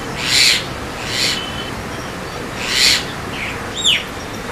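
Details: Javan myna, also called white-vented myna: three harsh wheezy rasps spaced irregularly, then a soft chirp and a quick downward-sliding whistle, with steady faint hiss behind.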